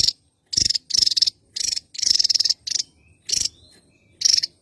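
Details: Javan tesia, a Java endemic, singing vigorously: harsh, high, sputtering bursts of varied length, one long rattling phrase among shorter explosive notes.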